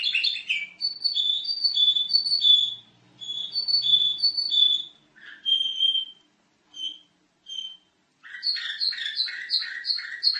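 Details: Canary song used as a master recording to train other birds: bright, ringing whistled notes repeated rapidly in tours, a brief pause with a few isolated notes, then a fast, high, rattling trill.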